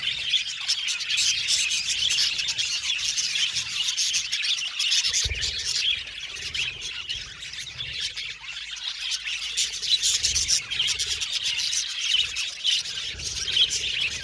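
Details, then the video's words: Budgerigars in a busy chorus of high squawky chirps and chattering notes, steady and overlapping, dipping briefly in loudness mid-recording before building again. "Budgies Chirping Sound"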